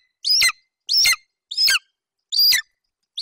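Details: Male golden eagle chick at a nest in Bucovina, 27 July 2021, vocalizing over a Eurasian hare his mother just brought. Four strident, high, squealing yelps, each sliding downward, with short pauses between them.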